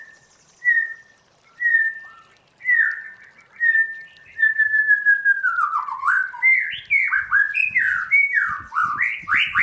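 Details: White-rumped shama in forest-style song for training: several evenly spaced plain whistled notes about a second apart, building into a varied stream of slurred, swooping and rising phrases.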